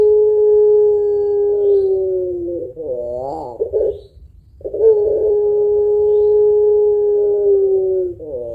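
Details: Spotted dove of the puter pelung type, actively singing, with a long voice and thick closing note, used to stimulate other birds. A steady drawn-out coo lasting about two and a half seconds, then a wavering warbled phrase, a short pause and another long level coo.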